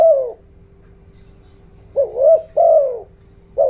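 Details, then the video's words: Spotted dove decoy giving a 'giọng đồng' coaxing coo to stir wild birds. A falling coo ends one phrase, then a fresh phrase of a rising-falling note and a longer drawn-out coo, another starting at the end, over a soft hum. "chim cu gáy mồi, tiếng chim cu gáy kích bổi, tiếng chim cu gáy giọng đồng ,tiếng chim cu gáy hợp bổi"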